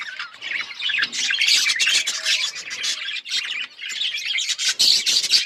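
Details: Budgies chirping and singing, a busy flow of high, scratchy warbles and quick tweets with short pauses.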